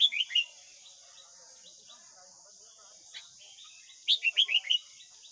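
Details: White-cheeked form of Red-whiskered bulbul giving morning song meant to train young caught birds; quick runs of sweet chirping notes at start and end, with soft twitters and a steady high hiss between.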